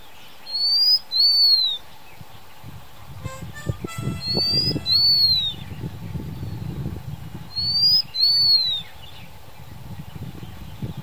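Blue-winged minla giving high, thin paired whistles, each slurring up then down, repeated about every three and a half seconds over a low rumble and faint clicks.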